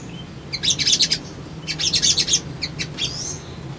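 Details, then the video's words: Brown-throated sunbird song used to provoke a response: three bursts of fast, high, buzzy twittering about a second apart, ending in a thin upslurred whistle, with a faint low hum behind. "SOGON GACOR PANCINGAN"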